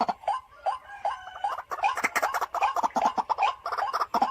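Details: White-breasted waterhen kept as a home-style decoy utters a busy sequence of short throaty notes, repeated quickly and unevenly, growing denser after the first second.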